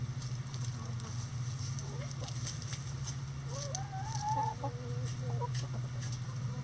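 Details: Chickens in a sunny-day coop: soft wavering clucks and a drawn, rising-falling murmuring call in the middle, quiet against a loud steady low hum.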